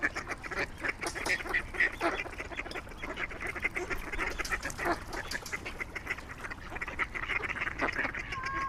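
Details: Swans in their natural habitat giving dense, overlapping nasal honks, short and repeated several times a second in an uneven chorus, over a steady low background rumble.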